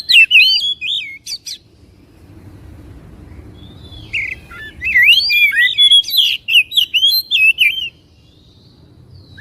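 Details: White-rumped shama singing, meant to excite a caged bird to sing and fan its tail: sweet whistled notes at first, a quiet gap with low background hum, then a dense burst of twisting whistles and chips.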